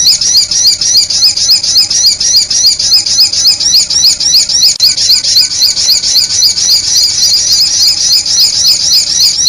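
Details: Lure recording of sunbird calls meant to attract birds, made of high, sharp twittering notes repeated quickly and regularly, roughly three or four each second, forming an unbroken looping chatter.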